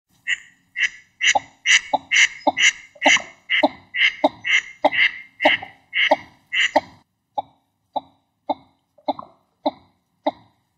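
Northern shoveler giving a steady series of short, harsh, nasal notes about two per second, loud and rasping at first, then thinner and more clipped.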